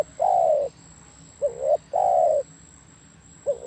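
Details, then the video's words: Spotted dove song: long mellow falling coos alternating with short rising notes, the phrases repeated about every 1.7 seconds, with a faint steady high tone underneath. "SUARA MERDU DERKUKU/TEKUKUR"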